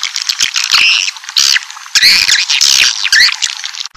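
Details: Swiftlet lure sound used to bring a colony into a building: loud bursts of buzzy, chattering high notes alternating with brief quieter gaps.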